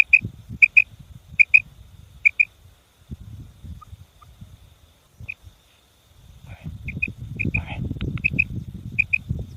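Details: Female common quail call, used for luring quail during the ripe wheat hunting season. Bright paired high notes repeat at intervals over low rustling and handling noise, which grows louder toward the end.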